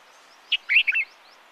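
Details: Calling Himalayan Bulbul, recorded in Uttarakhand, India: a quick bright phrase of four chirped, slurred notes, the second longest, lasting under half a second against soft background noise.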